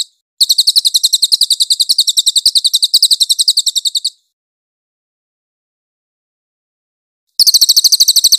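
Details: Cililin master song for training magpie-robins, described as clear-voiced: a fast, even trill of sharp high chirps at about nine per second, lasting nearly four seconds, then silence, then the trill resumes near the end.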